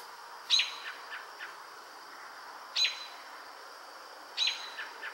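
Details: American robin on a pole singing its last song of the day at evening, probably declaring territory: three short phrases about two seconds apart, each a sharp high note then softer falling notes, over faint hiss.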